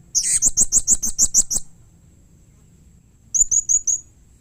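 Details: Blue-crowned hanging parrot call meant to prompt other hanging parrots to answer: a burst of about nine very high, sharp chirps over one and a half seconds, a pause, then four more thin high chirps.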